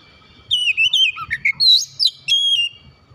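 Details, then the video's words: Oriental magpie-robin song, played to stimulate a silent, off-form magpie-robin into singing: a rapid run of clear, high whistled notes and slurs, some rising and some falling, in quick bursts with brief gaps, loud and clean against a quiet background. "memancing cepat kacer ngedrop macet bunyi langsung gacor"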